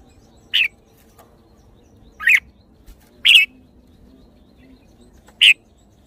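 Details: Red-whiskered bulbul uttering four short, sharp whistled notes spaced one to two seconds apart. Each note is clipped and bright, over a faint low background hum.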